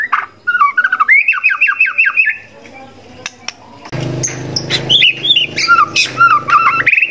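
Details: White-rumped shama training song with mimicked fill-ins: a string of quick repeated rising-falling whistles, a brief quieter gap, then harsh squawks mixed with bright whistled and chattering notes.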